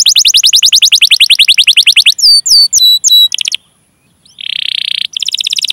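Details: Canary long song with chirps and rolls, a lure for encouraging other canaries to sing; a rapid sweeping roll, a few separated sharp chirps, a pause, a flat buzzy trill, then the roll resumes.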